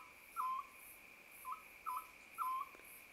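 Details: Oriental scops owl in a mountain village in early summer, calling from an acacia tree behind a house: four short, hollow, mid-pitched notes in quick pairs over three seconds, against a steady high insect whine and faint pulsing chirps.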